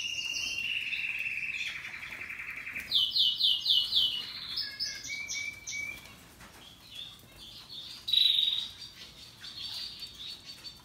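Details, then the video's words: Russian yellow and Timbrado canaries singing happily: rapid trilled phrases and rolling buzzy runs at varied pitches, changing every second or two, with some bright whistled notes and a loud burst near the end. "RELAXING Canaries Paradise Song Sound"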